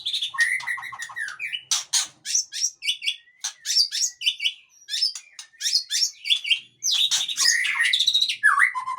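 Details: Male Aceh-type white-rumped shama delivers a long, varied song: rapid chattering notes, clear whistles, high sharp chips and slurred phrases in quick bursts, with a brief pause before a final flourish.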